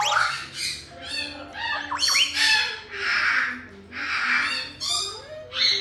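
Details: Female Red-fronted parrot, who says "good morning" and calls, gives harsh, raspy squawks about once a second, broken by a couple of quick whistled upward slurs; faint tones hum underneath.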